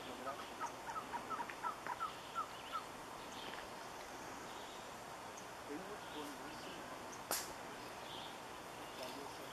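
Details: Surucua trogon singing: a series of about eight short, clear hooting notes repeated quickly over two seconds, then falling silent, with faint other birdsong and a soft insect hum in the background.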